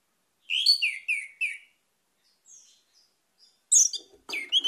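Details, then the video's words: Orange-headed thrush phrase of four loud, clear, slurred whistles, then faint high notes and two more sharp, buzzy bursts at the end. "PUTARKAN INI‼️ ANIS MERAH MACET AUTO GACOR"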